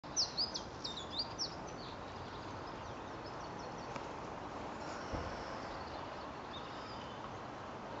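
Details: A Siberian Chiffchaff sings at Youngs Park, Goodrington, Torbay, Devon, UK on 21 December 2014, after responding to playback: a quick phrase of thin, high, varied chirps, then fainter scattered notes over a steady hiss and distant rumble.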